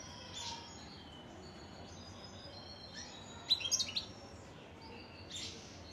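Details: European goldfinch singing: a quick burst of high, tinkling twitters in the middle, between a few soft, distant chirps, over a steady background hiss.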